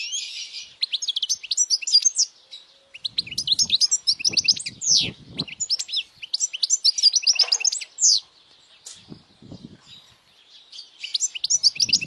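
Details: Powerful European goldfinch song, meant to attract females and to stimulate young goldfinches to sing. Long continuous liquid twittering of quick, high metallic notes and trills in dense phrases, with short pauses and faint low knocks between them.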